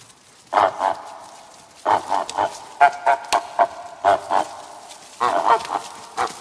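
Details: Goose on a farm calling in repeated groups of quick, nasal honks, several calls per burst with short gaps between them.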